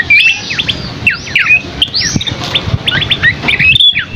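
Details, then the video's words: Scaly-crowned Babbler (asi topi sisik) singing a lively gacor masteran song with rich isian. Rapid high whistled notes, some sharply rising and others falling or slurred, come in dense bursts over a faint low background rumble. "Masteran Burung Asi Topi Sisik GACOR isian MEWAH Burung Kecil Suara Sultan"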